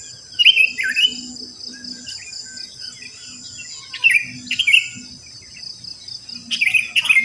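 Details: Wild sooty-headed bulbuls singing just after dawn around a residential complex where many live. Short bubbly, liquid phrases come in bursts of two or three notes every second or two, over a steady high insect drone.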